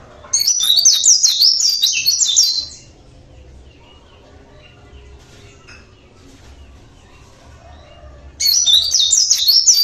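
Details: Oriental white-eye of local Javan stock, natural voice: a bright, high twittering burst of quick zigzag notes lasting two seconds, a long quiet gap, then another similar burst at the end.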